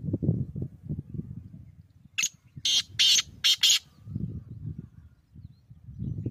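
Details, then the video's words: Black francolin, the Sindhi teetar of Pakistan's Sindh region, calling with four harsh, broadband, grating bursts in quick succession, the last two close together, over a low rumbling background. "Sindhi teetar ki awaz | Sindhi teetar voice | Sindhi Teetar Sound"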